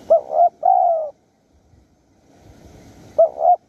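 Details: Spotted dove calling in the wild in Surat Thani, Thailand, during decoy luring at Bang Bai Mai. Two short low coos and a sustained coo are followed, after a pause, by another pair of short coos.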